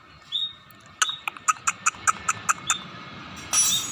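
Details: Scaly-breasted munia starting to sing energetically: a thin high whistle, then a string of evenly spaced sharp clicking ticks, ending in a burst of high hissy noise.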